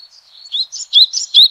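Yellow-bellied tit giving high, thin notes followed by three quick bright chirps about every fifth of a second apart.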